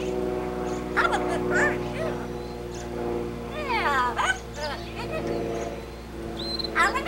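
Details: A male blue-fronted amazon parrot outside on his playpen reciting his vocal repertoire: bursts of squawky, strongly wavering harmonic calls and speech-like sounds over a steady low hum, with a short high whistle near the end.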